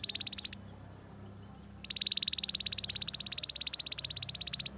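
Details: Soft canary song used to train young canaries in the ngriwik style: rapid, even trills of tiny ticking notes, broken by one short pause, then resuming for several seconds.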